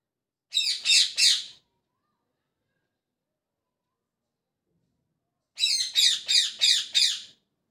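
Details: Parrot chirping in the morning: a quick burst of three harsh, high chirps, a long silence, then five more chirps in steady succession. No other sounds.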